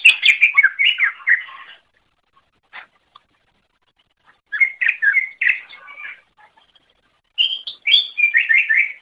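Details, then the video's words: Greater green leafbird singing, recorded for teaching other birds: three bursts of dense, varied twittering and slurred whistles separated by short silences, with a few isolated chips between phrases. "Masteran Suara Cucak Ijo"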